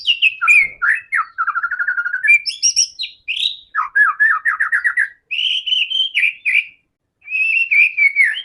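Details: White-rumped shama in loud, varied song used as a lure to prompt other shamas to sing: rapid whistled phrases, buzzy trills and repeated chattering notes, with brief pauses between bursts.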